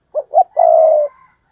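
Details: Spotted dove coo of the urging and calling kind, double-ending hai hậu style: two short rising hollow notes followed by a long, steady, slightly buzzy coo lasting about half a second, with a clean background.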